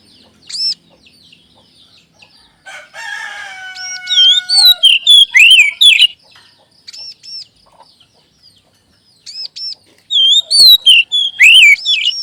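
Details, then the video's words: Magpie-robin (kacer) lure song for settled and juvenile caged birds: a long nasal, buzzy harmonic note, then rapid runs of whistled, swooping notes in two dense bursts separated by sparse high arched calls. "SUARA PANCINGAN BURUNG KACER AGAR CEPAT BUNYI DAN GACOR"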